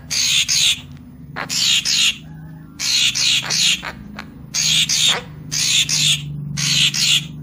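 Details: Papuan magpie-robin used as a lure call, a series of harsh, rasping bursts, each about half a second long, repeated in pairs with short gaps over a low steady hum.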